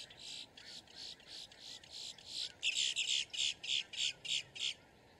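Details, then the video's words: Boat-tailed grackle giving a distress or alarm warning call: a fast series of about a dozen harsh, buzzy, broadband notes, roughly three per second, growing louder halfway through, then stopping abruptly. "Grackle bird call / song / sound | Boat tailed"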